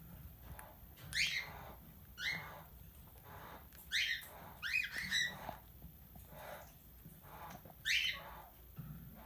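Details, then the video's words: Tamed plum-headed parakeet, called a talking parrot, uttering scattered short harsh downslurred squawks, about six across nine seconds, some doubled, in a quiet indoor setting. "Talking Plum Headed Parrot"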